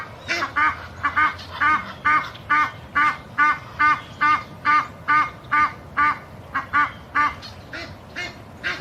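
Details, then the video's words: Small flock of Egyptian geese in a Boca Raton, Florida backyard, December 4, 2016, with females honking persistently to force a few birds to leave. Long run of loud, raspy honks, roughly two per second, steady and insistent. "Noisy Egyptian Geese honk loudly to drive off some of their number"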